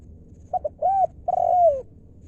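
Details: Spotted dove in a 'lio'-style luring call: two brief stuttered notes, a rounded arched coo, then a long mellow coo gliding downward.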